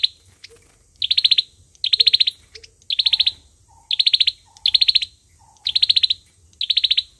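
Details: Olive-backed sunbird fighting song for luring birds to a trap: eight rapid high ticking trills in just over seven seconds, interspersed with soft, lower short chirps.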